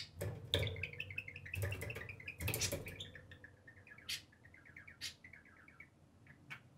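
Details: Pair of budgerigars playing on top of the cage: soft, fast twittering warble of ticking notes under louder rustling and a few sharp chirps.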